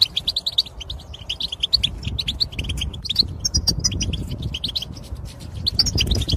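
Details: Goldfinch twitter meant to rouse males into song and excitement: fast strings of bright chirps and buzzy notes, some rising, repeated without pause against a steady low rumble.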